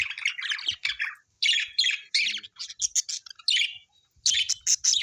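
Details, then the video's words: Chattering Australian birds giving dense clusters of high twittering, squeaky chirps in short runs separated by brief gaps, with faint low knocks in the background. "Australian beautiful birds sounds"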